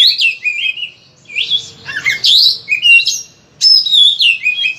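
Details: Oriental magpie-robin, kept as a song bird, singing a loud full varied song used as a training lure: clear whistled slurred phrases, rising and falling, in bursts with short pauses; no other sounds.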